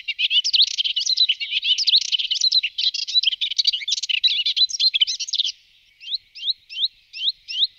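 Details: Melodious warbler pouring out a rapid, scratchy, babbling song of jumbled twittering and chattering notes for over five seconds, then a series of five separate upslurred whistles; clean recording with no other noise.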